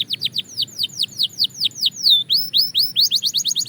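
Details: A Belgian canary practising song gives a steady string of sharp descending whistles, a longer swooping note midway, then quicker chirps toward the close.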